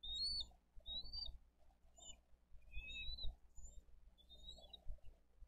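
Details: At a Dade County bald eagle nest on 22 April 2023, during a fish delivery and eaglet feeding, scattered short, high whistled chirps come in a loose irregular series over low muffled rumbling.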